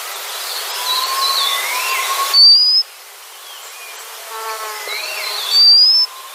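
White-capped redstart giving two thin, high, sharply rising whistles about three seconds apart over the steady rush of stream water, with faint notes from other birds.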